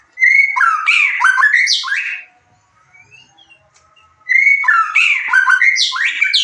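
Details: Lure song of a white-rumped shama, meant to raise excitement and breeding drive so listening birds reply: two loud, dense phrases of fast whistles, trills and upward sweeps, separated by about two seconds of near silence with faint notes.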